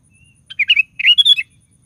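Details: Lively sooty-headed bulbul song meant to draw other bulbuls into singing: a pair of loud liquid phrases of quick warbled notes, the second richer and ending in a slurred whistle, with a faint low rumble behind.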